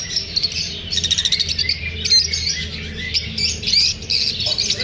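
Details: Lovebirds chirping after feeling unsafe while being filmed: a dense, continuous chatter of high, rapid twittering notes from several birds at once, with steady low background hum throughout.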